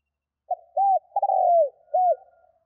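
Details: Spotted dove cooing, played to spur wild doves into cooing quickly: a short low note, an arched hoot, a long rolling trill that slides downward, then a final arched hoot, all mellow and low-pitched in silence.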